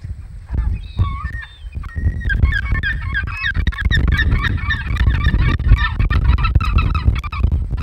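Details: Great black-backed gull at the Audubon Boathouse nest, 2 August 2020: a rapid series of harsh, honking calls, several per second, becoming a steady stream over heavy low wind rumble.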